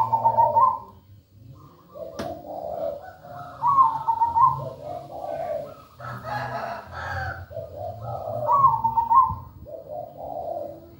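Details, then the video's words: Zebra dove (perkutut) in lively manggung song. Short trilled coo phrases recur roughly every four seconds, with lower, softer coo notes between them. A sharp click and a brief broadband noise burst are also heard. "MEWAH PERKUTUT GACOR SUARA MERDU"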